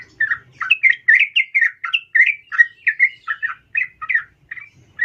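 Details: Female sooty-headed bulbul calling a male; the sound serves as a lure to excite males into singing. Evenly spaced, bubbly chirping notes, about three per second, rising and falling in pitch, in a quiet setting.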